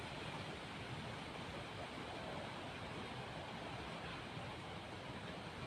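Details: Only a constant, even hiss like rushing water or distant traffic is heard, with no animal calls.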